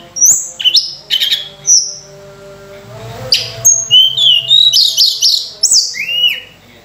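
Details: Lively Sunda robin song used as a lure for training other birds: clear high whistled notes, short buzzy bursts and a rising-falling final whistle, delivered in uneven quick phrases.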